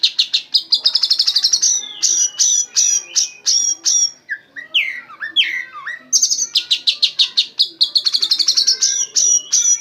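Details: Oriental magpie-robin used as a training bird, its song filled with white-rumped shama phrases: rapid high rattling note strings, a pause of lower looping whistles around four to five seconds, then more fast high bursts.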